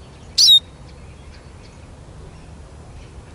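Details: Eurasian siskin giving one clear, high, slurred whistle that falls into a brief steady tone, followed by the start of another note after a quiet pause.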